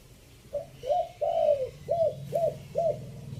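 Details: Spotted dove from Chiang Mai, Thailand, a decoy song in the three-note 'kuk' style, fifth phrase. Six mellow, hollow coos in a quick run. The second and third notes are drawn out and slightly falling. A low hum sits underneath.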